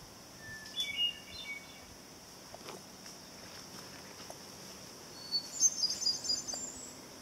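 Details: Hermit thrush song heard at sunset on the 2013 summer solstice along the Old Ridge Trail on Simpson Hill; two faint, airy flute-like phrases, one early and lower, one near the end pitched higher, amid quiet background hiss.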